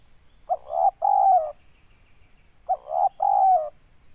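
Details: Local tekukur, or spotted dove, from Indonesia during bird trapping, giving two clear hollow coo phrases about two seconds apart. Each is a quick double note followed by a longer descending coo, over a constant high tone.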